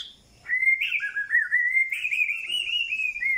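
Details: White-rumped shama song: a long run of clear whistles, steady and gently wavering, stepping slightly upward in pitch, with no break for about three seconds.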